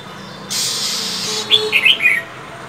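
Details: A female than songbird in cold winter gives a steady hissing burst, then a quick cluster of five or six high, bright chirps.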